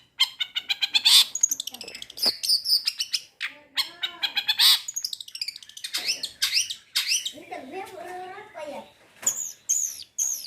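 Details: Long-tailed shrike singing a medley of mimicked materials, including sparrow squabbling and kingfisher calls: rapid harsh squawks and high chirps in dense runs, broken by lower wavering notes and a warbled rising-falling passage near the end.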